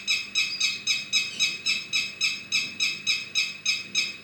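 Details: Bird repeating a harsh, raspy note at a steady pace of roughly three to four notes per second, with no break in the series.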